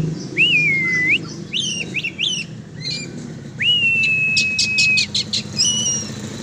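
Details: A sport-trained oriental magpie-robin flown free sings bright whistles, including a long held level note, mixed with scratchy rapid notes and quick clicking bursts over a faint low hum.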